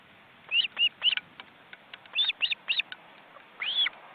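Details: Ospreys at an Estonian forest-reserve nest in 2015, with nearly grown chicks flapping their wings, give high, whistled chirps, each slurring up then down, in loose bursts of two or three, about ten in four seconds, over quiet hiss.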